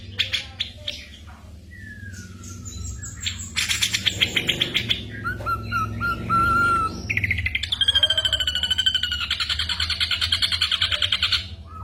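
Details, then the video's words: Mimicking ashy drongo, recorded as a tutor for cage songbirds like the white-rumped shama in moult, delivers a varied medley: sliding whistles, a clear falling whistle, then a long fast rattling trill over low hum. "burung masteran srigunting abuabu / saeran_abu"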